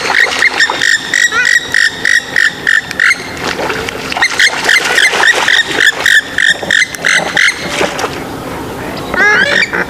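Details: Swamphen calling in loud clipped nasal bursts repeated rapidly, pausing and resuming, with a few high rising squeaks near the end amid a dense bird chorus.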